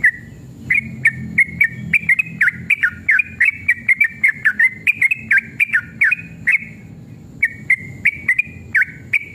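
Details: An excited sooty-headed bulbul in long 'ropel' song meant to stir other bulbuls to answer: a steady flow of bright whistled notes, each a quick rise-and-fall slur, with a short pause near the end, ticking clicks and a soft low murmur.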